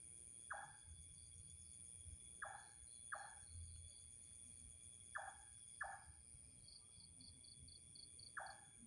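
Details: An unidentified bird, long heard but never seen, gives a strange call: short, faint, downward-sweeping notes, often in close pairs, spaced a few seconds apart over a constant high insect drone and low rumbling background noise.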